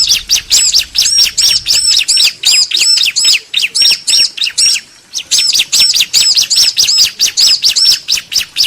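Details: Bar-winged prinia pair, male and female, answering each other: dense, continuous high chirping with arched whistled notes, briefly pausing near the middle before resuming.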